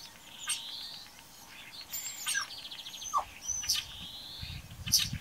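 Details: A common starling sings in the morning at Braziūkai, Kaunas district, Lithuania, on 8 April 2018: a varied medley of high whistles, clicks and buzzy rattles, including a sharp falling whistle, with faint background hiss.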